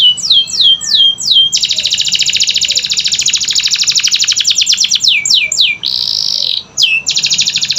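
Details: Canary song to stir lazy canaries into singing: several falling slurred notes, a long fast rattling trill, more descending sweeps, a buzzy burst and a renewed trill.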